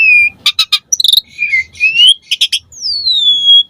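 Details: Asian pied starling song, varied phrases meant as a lure to get captive starlings singing; clear whistles, rising and falling slurs, and short rattling bursts, with a long descending whistle at the end.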